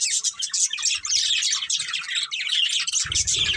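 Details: Budgerigars, a breeding pair, keep up a constant rush of high, chattering warbles and chirps. Low rumbling bumps sound beneath them near the end.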